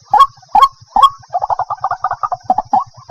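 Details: White-breasted waterhen lure recording for daytime trapping: three hoarse honking notes followed by a fast bubbling chatter of short clipped notes, with a low pulsing hum beneath.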